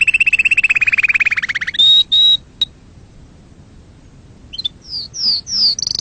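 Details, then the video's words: Canary song meant to stir other birds and teach young ones: a long fast trill, then pure whistled notes, a pause, and a series of sharp descending sweeps. "صوت تغريد عصفور الكناري لتهييج طيورك وتعليم الفراخ"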